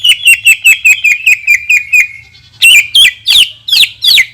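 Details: Greater green leafbird pouring out a long 'tembakan' shot, a lure song for other leafbirds: a quick run of sharp ringing notes sliding slightly lower, a short pause, then loud sweeping, swooping whistles.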